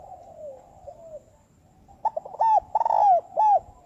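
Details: Spotted dove, lure call for trapping in the 'thúc bổi' style at high speed. Faint descending coos lead into a lull, then a sudden run of loud, clipped, arching coo notes in quick succession.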